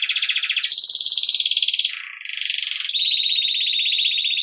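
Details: Belgian canary in campainha song style, for training young birds, delivering continuous rolled trills that shift pitch, dipping lower midway before a steady, even, high trill to the end.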